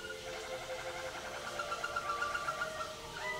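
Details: Quiet passage from a caged Waterslager canary entered in the 2011 WWC contest and scored on Klok and Bol: rapid rippling trill with fine pulsing notes, closing with a brief rising tone.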